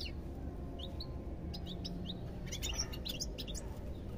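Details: Goldfinch song: a few spaced, slurred high chirps, then a denser tinkling twitter in the second half, over a steady low background hum.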